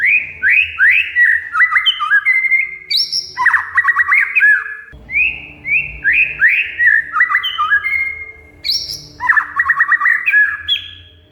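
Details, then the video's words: Oriental magpie-robin (kacer), used as a lure to make a silent bird sing and to stir fighting spirit: loud varied song of rising whistled notes, rapid stuttering trills and sharp chattering bursts, repeated in dense phrases. "Kacer Mogok Bunyi Tiba-tiba Gacor Isian Mewah"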